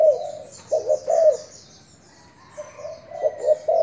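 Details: Thai decoy spotted dove cooing: a low mellow note, a pause, then paired husky coos, repeated after a silent gap, while thin high chirps of other birds sound faintly behind.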